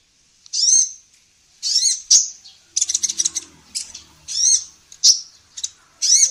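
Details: Training recording of a lively female sunbird: high arched chirps alternating with a brisk burst of clipped, rapid notes, then more single slurred chirps, over a soft low background murmur.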